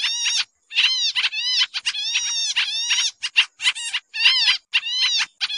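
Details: Lure recording of Sooty-headed bulbul for trapping, noisy style: scratchy chattering notes with downward-bending inflections in close sequences, one clear pause near the start, otherwise nearly continuous.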